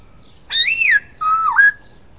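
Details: Masked laughingthrush giving two clear whistled phrases, the first rising then falling, the second dipping low before climbing to an upslurred end, with a short gap between them.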